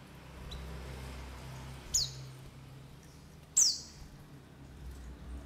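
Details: White-eye lure call: two short, high, downward-sliding notes about a second and a half apart, against a noisy low background.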